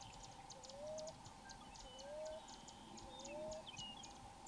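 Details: Wild Common Ground Dove cooing from a tree in Florida: soft rising coos repeated about every one and a half seconds, with faint high insect-like ticking and a steady background hum.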